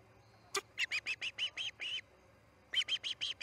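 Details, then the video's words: Osprey at the Charlo nest in early morning of 10 August 2018 as chick C6 fledges: a sharp click, then a series of moderately faint, evenly spaced whistled chirps, a pause, and a few more. "C6 fledges - Charlo osprey nest"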